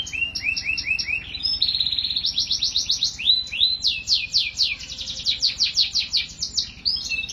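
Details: A canary sings a rapid sequence of trills, switching between several syllable types, each tour a quick run of sharp rising-falling sweeps that blend into the next without a break.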